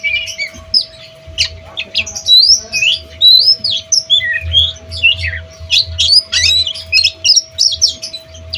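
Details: Oriental magpie-robin practising new song material: a busy run of squeaky, warbled whistles and harsh squawks with jumps in pitch, over a constant mechanical hum and low rumble.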